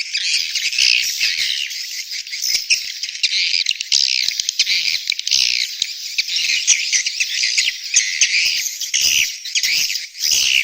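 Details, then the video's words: Swiftlet mating and breeding call: a dense, continuous stream of high, sharp twittering chirps and squeaks, overlapping and rising and falling in loudness for ten seconds, with no other sounds. "SUARA WALET BirahiBeranak"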